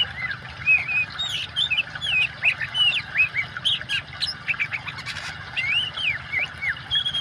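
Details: Oriental magpie-robin singing energetically over a water-sound track meant for birds that have stopped singing: rapid, looping whistled phrases and wavering slurs, repeated and varied almost without pause, with steady hiss underneath.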